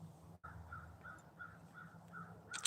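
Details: Crows calling in the background outdoors, described as saying hello; a series of short, hoarse caws repeated about every third of a second, with low traffic-like rumble and a sharp click near the end.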